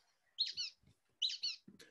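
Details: Brown-headed Nuthatch, smallest of South Carolina's three nuthatches and dependent on pine trees, giving two squeaky, toy-like calls, each a quick pair of high chattering notes, about a second apart; faint low thumps underneath.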